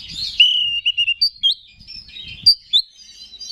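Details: Oriental magpie-robin from Indonesia, a caged songbird singing to stir rival males: a bright downslurred whistle, then short separated whistled notes at varied pitches with pauses; light low background rumble.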